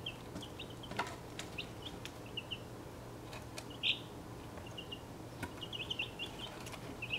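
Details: Young chicks, 1.5 weeks old, of six breeds including Buckeye and Golden Laced Wyandotte, in a travel box; scattered high peeps in small clusters, one louder cheep midway, over steady low hum and occasional taps.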